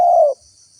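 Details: Spotted dove, used as a lure for wild doves, giving one short, low, steady coo that ends abruptly, with a faint high hiss behind.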